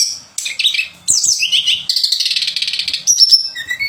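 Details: Sweet chattering song of a pied fantail used as contest training material: quick twisting whistles that run into a long trilled, buzzy stretch, then thin high notes.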